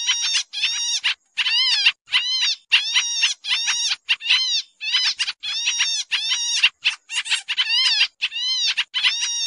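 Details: Noisy lure call of the pied triller, played to trap birds: rapid series of harsh, buzzy, nasal notes with strong overtones, some bending downward, packed into irregular bursts roughly every half second, with no other sounds.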